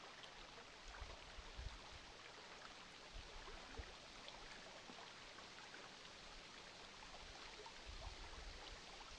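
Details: Steady patter of rain or rushing water fills the recording, with soft low thumps and no animal calls.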